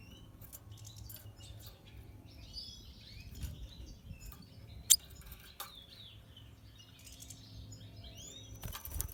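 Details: Natural pastel red siskin giving soft, high twittering phrases of curved chirps and trills, interrupted by sharp clicks, a loud tap near the middle and rustling near the end.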